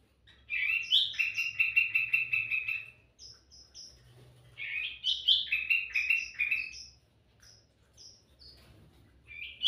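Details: Song of a sooty-headed bulbul, used as a lure for birds: two long bursts of fast, chattering chirps on a steady pitch. Between them come high, squeaky single notes, and a final rising phrase follows.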